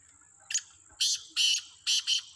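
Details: Free-roaming black francolin giving harsh, grating, rasping notes in a quick broken phrase of four or five bursts, with a thin high steady whine underneath at the start.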